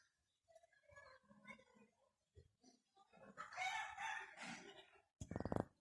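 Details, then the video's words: Ringneck parakeet talking: quiet mumbled syllables build into a louder speech-like burst, ending in a sudden harsh screech. "Ringneck Talking Parrot"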